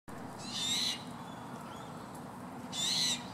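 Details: A young White-winged Chough travelling with adults in a group crossing a park at Nanango, Queensland, gives two harsh hissing squawks about two seconds apart, each under half a second, over quiet background hum.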